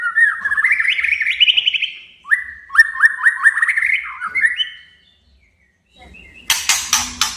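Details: White-rumped shama male calling out a rival to rouse its temper: rising stepped whistled phrases in quick succession, then a brief pause followed by harsh, loud, broadband scratchy notes repeated about twice a second.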